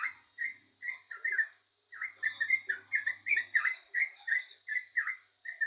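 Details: Spirited yellow-vented bulbul song: loud, clear slurred whistles spaced roughly half a second apart, with a few short gaps, over a faint high tone.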